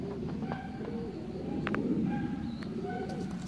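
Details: Mukhi pigeon, a fancy breed, giving a low, mellow coo that wavers up and down, with a few thin whistled notes and clicks in the background.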